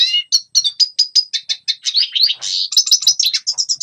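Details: Red siskin singing, a recording used to train young birds' song: a quick run of short, high chirps that merges into a buzzy, wavering trill and then a string of sharp repeated notes.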